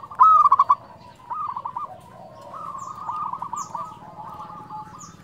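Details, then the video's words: Local zebra dove singing in a fluted voice: one loud short run of rapid coos, then softer rolling cooing from several doves and a few high faint chirps. "perkutut lokal gacor suara nyuling"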